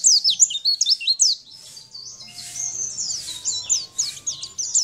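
A white-eye sings a fast, unbroken run of high, thin twitters and slurred chirps, with quick notes tumbling over one another; a faint low hum sits underneath.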